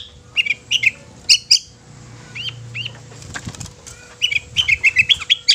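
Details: Long-tailed shrike song used to provoke other shrikes into singing and agitation: scattered short upslurred notes and sharp clicks, then a rapid run of bright chattering phrases near the end, over a faint steady hum.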